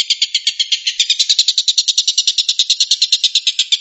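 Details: Harsh, rattling 'tembakan' song from a long-tailed shrike (tengkek buto), a continuous rapid string of rasping notes, around seven per second, slightly faster in the middle, with nothing else audible.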